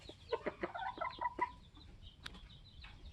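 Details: A flock of 21-week-old Polish layers with their rooster. Choppy clucks open the clip, one drawn into a short level tone, then quieter sparse notes and a faint distant chirp follow.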